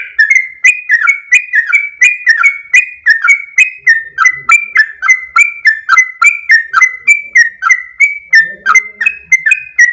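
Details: Yellow-vented bulbul (trucuk) in full, lively song of the long rapid 'ropel panjang' style: quick run of short whistled notes with sharp onsets, dipping between higher and lower pitches, about three per second, steady throughout; faint low murmur near the end.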